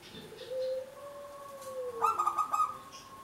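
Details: Local zebra dove in active song, kept for luring other birds. A long, low arched whistle is followed by a quick pulsed trill of coos, then a steady sustained tone.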